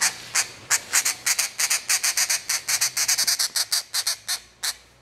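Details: Grey treepie chick, two months old and hand-reared after being found by a road, begging while hand-fed. Loud, raspy squawks with a whistled edge, repeated about three times a second in a steady run.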